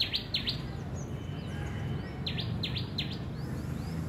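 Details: Small bird with an ambulance-like call: two quick high down-slurred notes, a pause, then three more in a regular run, plus a few faint thin chirps amid soft outdoor background noise.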